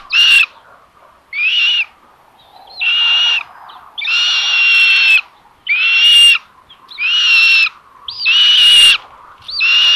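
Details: Common buzzard nest, Tiszalök, Hungary, May 27, 2022, 12:32, filmed by a solar-powered live camera as the mother brings lunch to the third chick. About eight loud, rasping, drawn-out calls follow one another every second or so, some with upward-sweeping starts.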